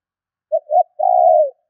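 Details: Spotted dove calling as a lure: two short soft coos followed by a sustained rolling coo that tapers and falls slightly, a single clear phrase.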